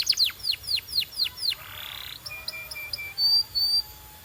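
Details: Canary song used for coaching: a string of clear downward-sweeping whistled notes, then a buzzy rattle, short repeated tones and a brighter high whistle.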